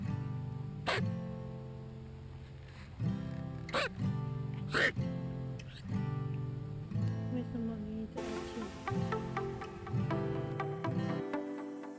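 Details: Strummed acoustic guitar music with steady harmonic chords and a few sharp plucks, with no animal calls heard.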